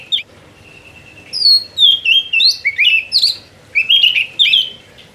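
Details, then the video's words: Magpie-robin singing in the long-rolling 'ngerol' style: a sustained pure whistle, then a string of bright, sweeping whistled phrases that dip and rise in quick succession. "BURUNG KACER GACOR NGEROL PLONG"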